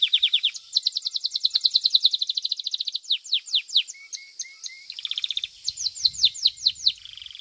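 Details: Domestic Belgian canary singing in a competition: rapid high trills alternate with descending slurred whistles and brief lower chips, phrases shifting every second or two, ending in a buzzy trill.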